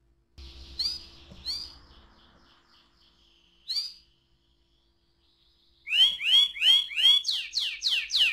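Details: Canary singing ngerol style as a lure for other canaries: scattered soft high notes with faint background rumble at first, then a loud run of evenly repeated swooping slurred notes.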